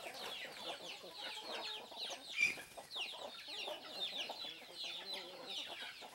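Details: Free-range domestic chickens on a country farm: dense overlapping clucks and chattering calls from several birds, steady and busy throughout, with one louder squawk midway.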